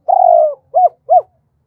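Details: Decoy spotted dove cooing to call in wild doves, in the double-voice, two-tail-note style: one long, slightly falling, hoarse coo followed by two short, arched coos, then silence.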